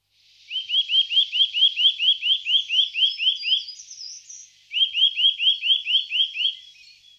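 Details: Eurasian nuthatch giving fast series of clear, upward-slurred whistled notes, about thirteen in the first run and eight in a second after a brief pause, with softer high twittering above.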